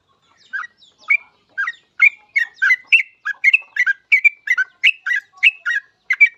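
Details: Yellow-vented bulbul in vigorous song, used to coax other bulbuls to sing: a continuous, accelerating stream of bubbly, chattering chirps with whistled slurs, around three notes a second. No other sounds.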